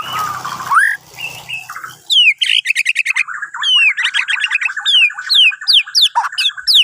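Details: Borneo white-rumped shama singing at morning to prompt other birds: a low rising whistle, then crisp high descending slurs repeated about once per half second over a steady chattering trill.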